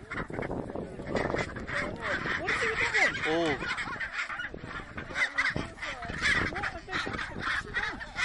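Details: Wild Chinstrap penguins fighting on the Antarctic Peninsula. Loud, harsh, braying calls overlap with rising and falling honking notes, packed densely and continuously throughout.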